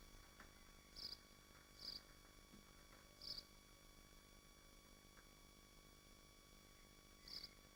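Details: Nesting swifts at their nest in Machynlleth, Dyfi Biosphere: four short, high squeaky chirps spaced irregularly over several seconds, each a brief bright burst, over a steady low hum and faint electronic whine.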